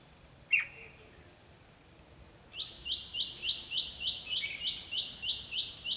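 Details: Red-whiskered bulbul in a fighting song at a decoy trap, recorded 13 February 2016: one short high note, then a fast series of about a dozen bright, clipped, evenly repeated notes, roughly four per second, over faint background hiss.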